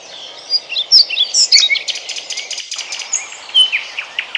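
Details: European pied flycatcher (Ficedula hypoleuca) singing in Bryansk, Russia: bright, high, sweet notes and short trills in quick, uneven succession over a soft background hiss.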